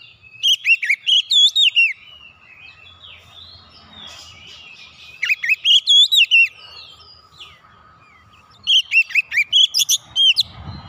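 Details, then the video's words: Oriental magpie-robin song played to encourage quiet birds to sing again: three separate bursts of rich whistled notes, each about eight notes long with looping slurs, separated by faint background noise. "KICAUN MENGATASI KACER MACET BUNYI KEMBALI GACOR"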